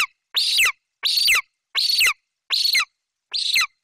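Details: A golden eagle chick in its nest tree in Bucovina on 28 July 2021 screams with excitement as its mother brings in a magpie as prey: five harsh, high begging screeches, each about half a second long, roughly one a second.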